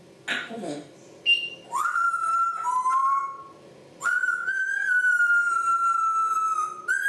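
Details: African grey parrots indoors, whistling: a short tone, then sustained pure whistles that slide upward and hold steady, with rich overtones and a brief break between phrases.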